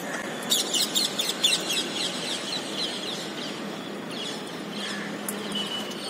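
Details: Rose-ringed parakeets feeding in the morning at a ninth-floor apartment balcony in Surat, Gujarat, India, on 3 April 2020, give a rapid run of harsh, screechy squawks for about a second, then quieter scattered notes over a steady low hum.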